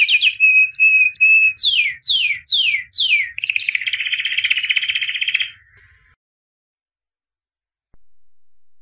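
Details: Albino canary singing, a 2017 champion: three clipped paired whistles, then four steep downward sweeps, then a harsh buzzing roll lasting two seconds, followed by silence.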